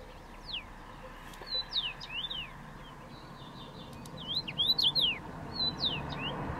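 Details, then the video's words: A rosefinch in Trabzon gives quick, thin, sliding chirps, some rising and some falling, in loose irregular bursts over a steady low background rumble. "Çütre, Rosefinch"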